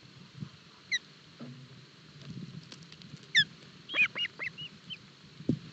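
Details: Osprey chicks at a nest in Barlinek Forest, 07 July 2022, during a breakfast fish feeding: sharp, high, descending whistled chirps, some single and some in quick clusters, over low rustling and thumping at the nest.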